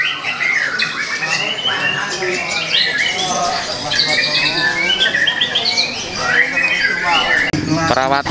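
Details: White-rumped shama, young and wild-caught, with a repertoire said to cover all of nature; dense varied whistles and harsh chatters, ending with a loud rattling burst and a thump.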